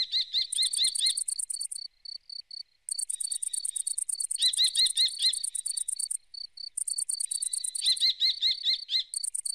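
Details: Red-footed falcon recorded at Břest on 13 September 2019: three bursts of rapid, shrill, repeated kew notes, five or six per burst, with a loud, continuous, high cricket chirping throughout.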